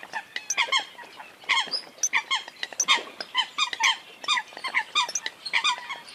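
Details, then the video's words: Eurasian coots calling together: clipped, nasal, squeaky notes pile up in rapid irregular bursts, with no pause across the whole stretch. "tiếng sâm cầm"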